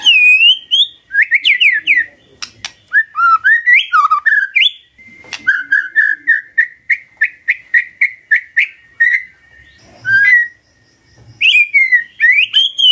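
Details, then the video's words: Magpie-robin song at dawn, used to get a quiet bird answering: rich varied whistles, rising slurs, then a long run of short repeated whistled notes, with a few sharp clicks between phrases. "Pancingan PAGI PAGI AGAR MURAI GACOR❗ murai diam pasti ikut NYAUT❗❗"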